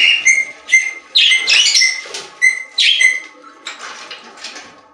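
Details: Pet store budgerigars giving repeated short high chirps at irregular intervals, mixed with brief scratchy chatter bursts, fading to softer twittering toward the end.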